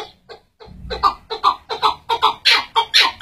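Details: Chukar partridge call that opens with a few soft notes, then builds into loud, rapid clucking chucks, about two to three per second, growing harsher toward the end.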